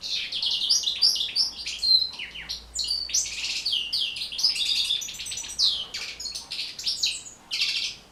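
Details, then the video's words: European goldfinch singing nonstop, a recording meant to stimulate goldfinches to sing. It is a dense, rapid stream of high liquid twitters, trills and short buzzy notes with hardly a pause. "بتبتة جد مهمة لتحفيظ و تحفيز طيور الحسون على التغريذ"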